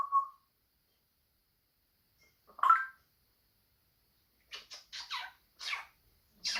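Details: Pet African grey parrot indoors making assorted noises: a short low whistle, a sharp squawk, then a run of harsh, breathy, speech-like syllables.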